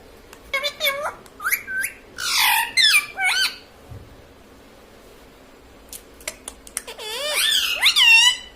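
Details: Indoor pet parrot that talks, saying mummy, papa and mitthu; quick rising whistles, then a loud raspy squawking stretch, a quiet gap with clicks, and a final burst of looping, warbling syllables.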